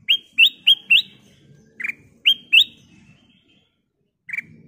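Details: Ruby-throated bulbul singing loudly to set other birds singing: four fast bright rising whistles, then a lower burry note and two more rising whistles, over a soft low rumble.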